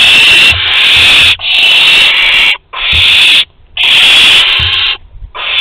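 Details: Long, loud breathy hisses from barn owls at Théding, recorded August 23, 2020 as an older bird offers prey to a younger: each lasts about a second, repeated with short silent gaps.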